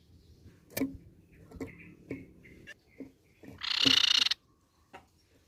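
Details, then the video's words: Grey-cheeked tit-babbler: a few soft scattered notes and clicks, then one loud harsh buzzy rattle of about three quarters of a second, followed by quiet ticking. "KICAU GACOR TEPUS PIPI PERAK"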